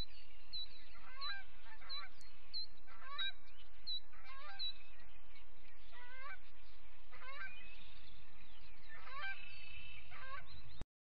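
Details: Montana Osprey family calling at the Charlo nest, live-streamed from a nest camera on a September morning in 2016: series of high, downslurred whistled chirps about every half second, then a longer rising call, with steady background hiss.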